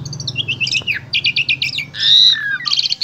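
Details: Vigorously singing Asian pied starling from Wonosobo, Central Java, Indonesia, offered as a vocal model for spotted starlings. A fast run of chattering high notes in rhythmic clusters, then a long loud whistled note and more rapid chirps.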